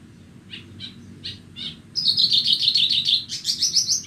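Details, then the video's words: Horsfield's bush lark, Bornean form, singing on a bright morning; a few soft chirps, then a fast buzzy trill of rapid high notes with sharp accents, over a steady low background hum. "burung branjangan borneo bernyanyi"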